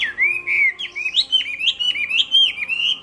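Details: A Chinese hwamei pours out a continuous, rich whistled phrase, rolling up and down in loud looping slurs about four times a second, bright and powerful throughout.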